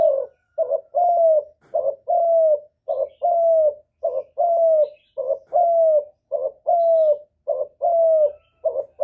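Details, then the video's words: Spotted dove cooing to provoke other doves into answering; about a dozen phrases run almost without pause. Each is a short hoarse note and then a longer, slightly falling coo, repeated steadily through the whole stretch in a quiet setting. "Chim Cu Gáy Kích Nổi Cực Phê, Nghe là gáy theo liền"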